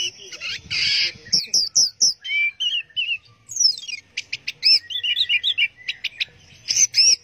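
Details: Orange-headed thrush giving teler-style song, a varied, nonstop mix of buzzy bursts, quick whistled slurs, rising sweeps and sharp chip notes.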